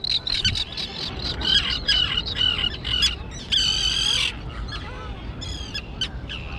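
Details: Young terns in an island colony overgrown with grass. Short harsh squawks come in quick bursts, including one long grating cry lasting almost a second, with shorter rasping calls between.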